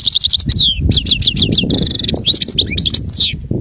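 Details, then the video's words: A goldfinch sings continuously: lively, high tinkling twitters, quick slurred notes and a buzzy trilled passage tumble together without pause, with softer low rumbling underneath. "Bestest Goldfinch singing"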